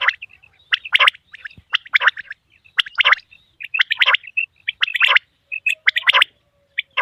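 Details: Common quail, a male, calls repeatedly: loud, gritty multi-note bursts at a steady pace of about one per second, with thinner chirps in the gaps and a quiet background.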